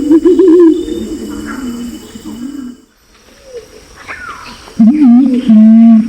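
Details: Pinon's imperial pigeon lure calls, male and female, recorded in Nabire, Papua, Indonesia: a low wavering moan fades out, a near-silent gap follows, then two loud, deep hummed notes return.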